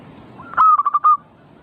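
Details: Single zebra dove song phrase used to provoke singing: a brief rising lead-in, then four or five quick, hollow, evenly pitched coo notes closing on a longer held note, over low background hum.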